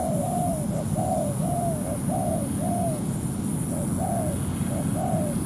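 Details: ["A trapper's ground-decoy spotted dove calls to challenge a wild dove into a fight. Rapid short-long coo pairs tumble out in the first half, then slow to spaced phrases, over constant low noise and a persistent high-pitched tone."]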